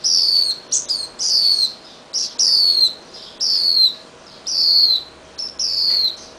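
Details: Fledgling Swinhoe's white-eye released after days in a cage, its parents still chasing it with red berries; loud high chirps sliding downward, grouped in bursts about every second, short clicks between.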